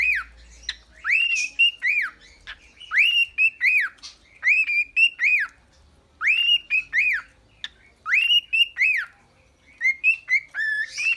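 A cockatiel whistles a learned tune in clear, bouncy phrases of rising and falling notes.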